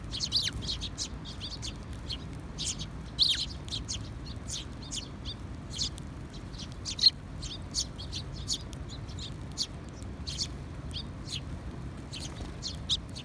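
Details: Sparrow chirping recorded on 2021-06-20: brief, high, clipped tweets scattered irregularly, a few louder notes standing out, over a soft low hum.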